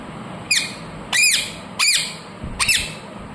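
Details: Ringneck parrot kept as a talking pet bird, calling naturally. Four shrill, squeaky screeches, each rising then dropping sharply, spaced roughly half a second apart.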